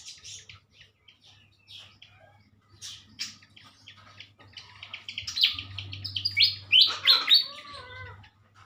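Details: Pied fantail pair being matched for breeding in a village area where it has vanished from the wild, with its typical morning voice: scattered thin chirps, then a burst of sharp, high squeaky notes rising and falling, with a steady low hum beneath.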